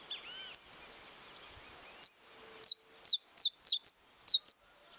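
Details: Captive saffron finch in estalado song: a single opening note, a pause, then a run of loud, high, rapidly falling snapping notes, some paired, at an uneven pace.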